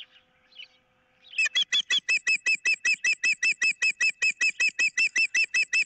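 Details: An osprey on a nest camera, 15 April 2023, excited by an intruder and squabbling over a fish, lets out a sustained, regular volley of shrill whistled cheeps, roughly five per second, after a few faint notes.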